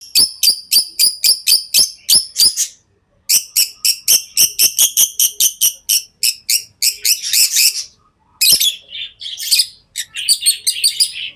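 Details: Tame lovebirds chirping. Sharp, shrill chirps repeat rapidly, about four a second, in two long runs. After that come harsher, rasping, jumbled chirps with short pauses.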